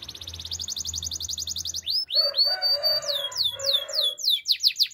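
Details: Belgian canary song used for training canaries to sing: a fast trill of repeated high notes, then loud rising and falling whistled sweeps with a lower buzzy warble beneath, phrases repeated rapidly.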